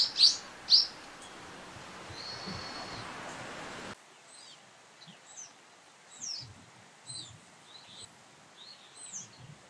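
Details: A frequently calling brown-eared bulbul (Hypsipetes amaurotis) gives two loud, shrill, high calls, then a drawn-out screech and a run of fainter, scattered high chirps against a soft background hiss.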